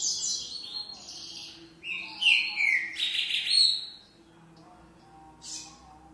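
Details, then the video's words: Green-winged saltator with an unusual song: loud, rich slurred whistles swooping downward in a three-second burst, then a pause and one faint high note. "TRINCA-FERRO CANTO DIFERENCIADO"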